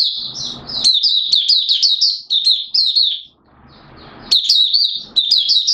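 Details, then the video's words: Malaysian Oriental white-eye, mata puteh, in 'buka' open song, Singapore, 29 March 2023: continuous high, sweet, quickly tumbling notes, a short pause with soft rustle, then renewed bright twittering. "Malaysian Mata Puteh Buka Sing"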